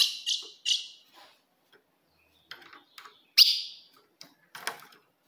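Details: Female ultramarine grosbeak call meant to provoke a male: three quick high chips open the recording, then a pause with soft ticks, a loud ringing chip, and a last fainter note.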